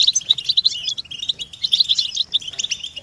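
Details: European goldfinch mating and readiness calls in a group, used as stimulation for captive males: crisp, rapid chirps and bright tinkling notes in a quick cascading phrase.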